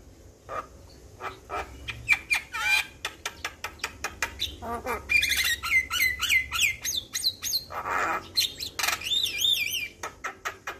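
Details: Javan pied starling song used as a master recording to get young starlings to respond: dense run of sharp clicks and squawks with bright whistled notes, a burst of repeated rising whistles, then looping wavy whistles near the end.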